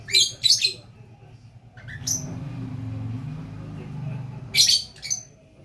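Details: Gacor lovebird giving short, shrill, scratchy bursts of chatter at the start, a brief squeak midway and another double burst near the end, with a low droning hum between calls.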